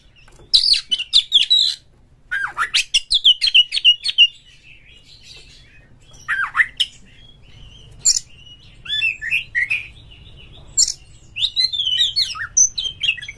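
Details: White-rumped shama song used to get other shamas singing, with a harsh full repertoire: rapid chattering and squawking bursts, fast whistled runs, and scattered sharp notes spread over several seconds with quiet gaps.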